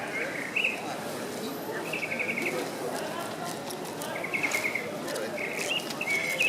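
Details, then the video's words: Song of a tropical mockingbird recorded in November 2014 near Tulum, Quintana Roo, Mexico: brief trilled, stuttering phrases separated by short pauses, with a few sharp upslurred notes, set against constant background rushing noise. "Tropical Mocking Bird Singing"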